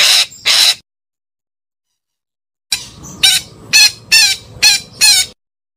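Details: Parakeet calling: two harsh, raspy screeches, a pause of about two seconds, then five more loud grating calls in a steady run, roughly two per second.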